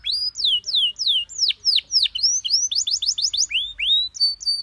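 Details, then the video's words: Canary master song for tutoring other birds, with pleasant phrasing described as easy to copy: a steady run of loud, bright downward-sweeping whistles, about three per second, giving way to faster rising notes and a brief held tone. "MASTERAN KENARI PAUD CENGKOK ENAK GAMPANG DITIRU"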